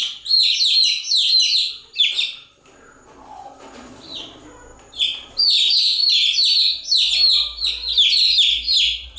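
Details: Chicks keep up rapid, high-pitched chirping, overlapping downslurred peeps that fade for a couple of seconds midway and then return strongly.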